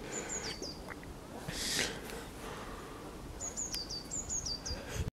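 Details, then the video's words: Great tit singing on 14 February 2021: high, ringing two-note teacher-teacher phrases in a short burst, a pause, then faster repeats, over a low rumble of background noise. "Sikorka bogatka - jej śpiew"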